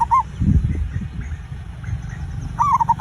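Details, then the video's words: Zebra dove lure song meant to spur birds into quick singing: a cut-off coo at the start, a pause with low rumbling noise, then a fresh burst of rapid bubbling notes. "perkutut raja pikat cocok untuk memancing burung cepat bunyi"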